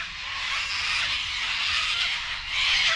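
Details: A flock of cockatoos going crazy outside on a rural property, screeching together in a harsh, rasping, unbroken wall of overlapping calls that grows louder near the end before they quieten.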